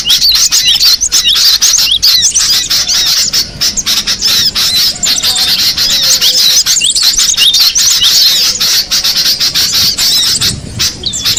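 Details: Cinereous tit recorded in the wild, giving a long, unbroken chorus of thin, high chirps and squeaky twitters that crowd together without pause, suggesting several birds calling together.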